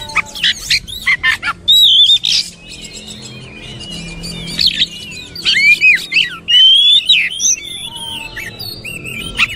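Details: Oriental magpie-robin singing a dense, varied song of sharp chirps, rapid buzzy bursts and slurred high whistles, with loud phrases coming in clusters and short pauses between them.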